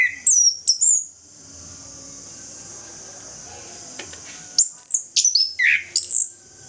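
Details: Orange-headed thrush singing ngeplong in the morning to spur reluctant thrushes: a short burst of high chips, a long gap of low hiss, then a quick sequence of piercing notes and a lower slurred whistle.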